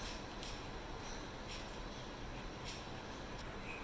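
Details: Steady broadband hiss fills the recording, broken by a few faint soft clicks and taps, with no animal voice.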